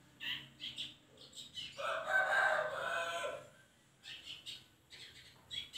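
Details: Long-tailed shrike sound used as a lure to make a reluctant bird sing. Short, sharp, high chirping notes lead into a loud, harsh, buzzy rasping phrase of about two seconds, then more scattered sharp chirps.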